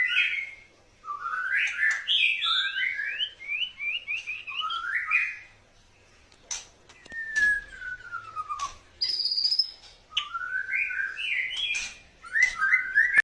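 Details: Courting white-rumped shama delivering varied song: bursts of rapid trilled and warbled notes, a long smoothly descending whistle, short pauses of silence between phrases, then further chattering runs.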